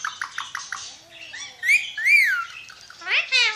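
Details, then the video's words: Alexandrine parakeet talking: five quick evenly spaced clipped notes, a soft low murmur, two loud arching whistled words, then squeaky rising syllables. "Pakistani Ringneck Parrot Talking"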